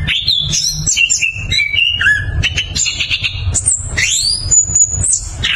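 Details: Orange-headed thrush, or anis kembang, singing a clear rolling song as a lure for silent thrushes: a descending series of whistled phrases, then sharp rising upsweeps and very high thin notes, over low hum.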